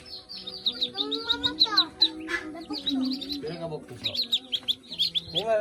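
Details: Ducklings on a farm in the Philippines: bursts of rapid, high, thin peeps, many overlapping, with a short lull mid-way before the peeping resumes; lower, voiced harmonic sounds join briefly near the start and around the middle.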